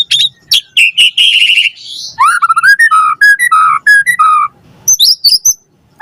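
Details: White-rumped shama lure song used to prompt a reply, with varied loud whistles, trills and slurred notes, rapid chattering bursts early on, then a run of clear whistled phrases and short high chirps near the end.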